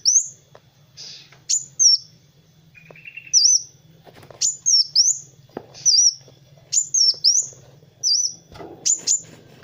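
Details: Song of a sunbird known locally as kolibri wulung, meant to train other birds: bright, high, looping whistles in paired bursts, with a short buzzy lower note early on and a steady low hum.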